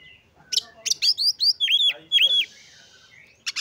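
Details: Oriental magpie-robin singing to stir emotion and breeding drive in other magpie-robins; quick series of sharp whistled notes leading into two looping slurred phrases, then a short buzzy note and silence.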